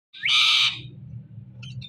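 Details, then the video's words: Indian ringneck parakeet kept as a talking pet bird, giving one loud, harsh, high squawk lasting about half a second, followed by a low steady hum in the background. "So Cute Speaking Parrot"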